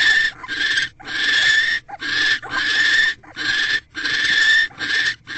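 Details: Barn owl at a nest box, 19 January 2024 at 6:04 pm, as the male delivers food to his mate: about seven harsh, hissing, rasping screeches, each under a second, separated by short breaks.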